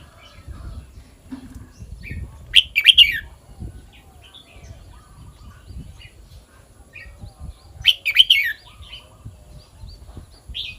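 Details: Red-whiskered bulbul singing the phrase pattern rendered as kwik-jok-khwai-liang: two bright, quick bursts of three or four rich whistled notes about five seconds apart, with soft scattered chirps and low rumbling between them.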